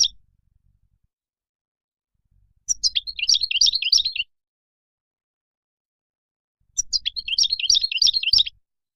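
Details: European goldfinch singing wild song used to tutor young birds; two jangling phrases of high twittering and tinkling notes, each about one and a half seconds, separated by four seconds of silence.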